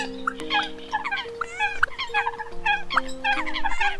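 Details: Eurasian coots calling on a recording used as a lure to attract birds: quick clusters of short harmonic notes, repeated in bursts, with a few sharp clicks, over held low steady tones.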